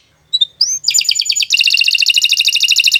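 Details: Canary song for training other birds: a few thin rising whistles lead into a fast, even, repeated trill of bright notes.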